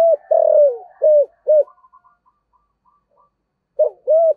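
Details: Decoy spotted dove of the "giọng thổ" voice type ends one phrase with a long falling coo and two short coos, softer notes trailing off, before beginning the next phrase with a rising coo.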